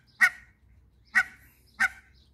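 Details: Mallard in a backyard where a mallard couple meets hybrid runner ducks, two males and a female; three separate loud, coarse quacks spaced nearly a second apart, with quiet between them.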